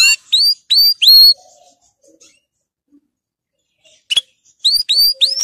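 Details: Canary song for training: scattered clear whistled notes that sweep upward, given in short groups of two or three, separated by quiet gaps of over a second.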